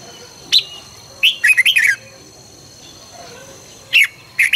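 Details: Morning training song of the red-whiskered bulbul, căng lửa style: a lone sharp whistle, then a lively run of five or six warbling notes, followed after a pause by two more short calls, over a faint steady high tone.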